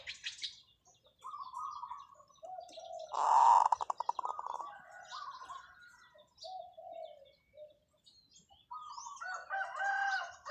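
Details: Long call from a decoy zebra dove: one strong burst rolling into quick repeated staccato coos lasting over a second, surrounded by scattered whistles and chirps of other small birds.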